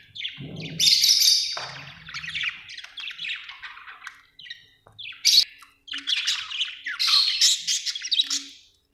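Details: Budgerigar chatter of scratchy warbled phrases and sharp squeaks, with a short gap then rapid clicking notes, and a few low knocks.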